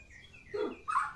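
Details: Medan white-rumped shama in full song, giving two short loud phrases: a low rich downward-sliding whistle, then a higher bright warbled note after a brief pause, over faint high background notes.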